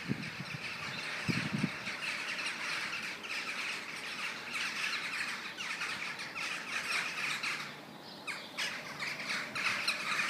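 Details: Starlings in a morning murmuration, 21 November 2012: unbroken, shimmering chatter of many birds at high pitch, briefly dipping in intensity near the end, with a couple of early low wind gusts.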